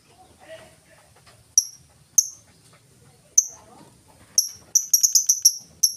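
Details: Lovebird ticking in the ngetik style as a lure for other lovebirds: a few widely spaced sharp high clicks, then a rapid run of ticks, with faint low background sounds.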